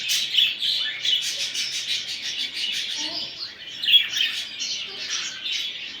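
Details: Continuous budgerigar warbling meant to stimulate a male toward mating: busy high chirps and trills from several birds overlap, with louder sharp notes near the start and just before the fourth second.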